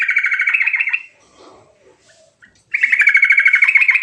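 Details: Sooty-headed bulbul singing a loud rolling song to encourage silent bulbuls: a rapid bubbling trill, a pause with soft background rustles, then a second equally loud rolled phrase.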